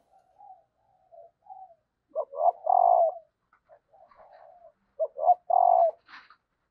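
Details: Female spotted dove calling to stir males into cooing: soft low murmured notes, then two clear three-part coos, two quick short notes and a long steady hooting note, spaced about three seconds apart, with a faint high chirp at the end.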